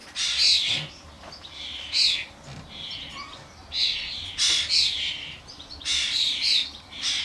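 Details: Common starlings at a garden bird feeder, adults accompanied by their fledglings during a noisy gathering; dense run of scratchy, hissing squawks in clustered bursts with little pause between them.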